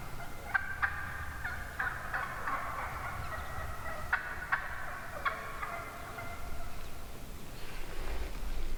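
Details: Wild turkey hens calling from within a large flock one morning in the turkey woods: short yelps and clucks repeated in loose bursts, several birds overlapping, with low background rumble.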